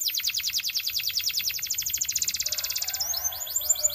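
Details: Belgian canary singing: a long fast trill of rapid repeated notes high in pitch, shifting after about three seconds into quicker upswept chirps, with a faint low hum beneath.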